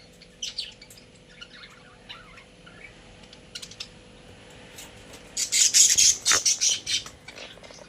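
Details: Pet budgerigars kept in a cage: a few faint scattered chirps, then a loud burst of rapid, harsh high chirps repeated several times a second near the end, with a low steady indoor hum underneath.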